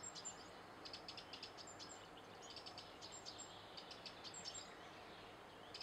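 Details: Eurasian wren singing: faint, rapid high-pitched trills and clusters of sharp ticking notes in repeated bursts, set against a steady soft background hiss.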